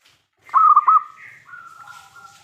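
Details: Zebra dove of local breed in full voice, used to call other doves into answering: one brisk run of three rolling coos, followed by a long, even, steady tone.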